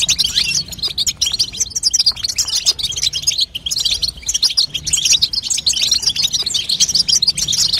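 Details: Female European goldfinch chattering to strengthen a young goldfinch and push it to sing: dense, unbroken high twittering of quick buzzy chips and trills, with brief pauses near the middle.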